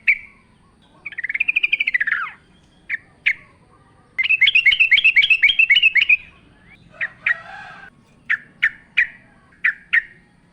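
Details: Yellow-vented bulbul singing vigorously in wild style among natural sounds, used as a lure recording for kept birds: a rising-falling slurred phrase, then a fast chattering trill of bright notes, a harsh burst and a run of sharp separate chirps.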